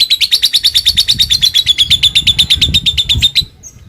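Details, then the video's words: Long 'ngekek' chatter of a fighter lovebird meant to get other lovebirds singing fast: a steady, rapid run of piercing high notes, roughly three per second, for about three and a half seconds, ending abruptly. "Lovebird memanggil musuh ngetik dan ngekek panjang fighter, bikin semua lovebird bahan cepat bunyi"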